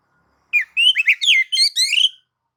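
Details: Oriental magpie-robin song, nagan and ngobra style, aimed at provoking other magpie-robins to sing: about six bright, slurred whistles in quick sequence over under two seconds.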